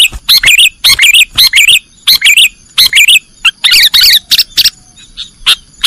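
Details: Sooty-headed bulbul in the 'nggaruda' song style, a recording used to train cage birds: loud bursts of bright, warbling whistled phrases with quick up-down wiggles, given in clusters separated by short pauses.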